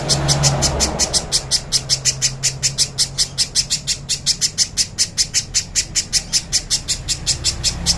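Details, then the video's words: Little spiderhunter, clean training recording, pouring out a long regular series of sharp high chips, about two to three each second, with a quiet hum in the background. "MASTERAN BURUNG PIJANTUNG PISANG JERNIH"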